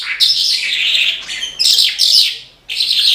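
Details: A branjangan, the Horsfield's bush lark, singing lively: rapid buzzy, chattering high phrases in three bursts separated by short gaps, over a quiet background.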